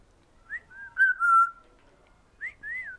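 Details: African grey parrot, a pet female, sunning outside on a fine day and whistling to birds flying by; clear tonal whistles near one pitch, a rising slur, a long wavering note, then a rising note and an arched whistle.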